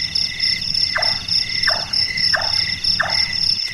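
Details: Four evenly spaced, wooden-sounding notes sliding down in pitch from a Large-tailed nightjar (Caprimulgus macrurus), a nocturnal bird whose voice resembles carpentry work, with shrill insects droning steadily behind.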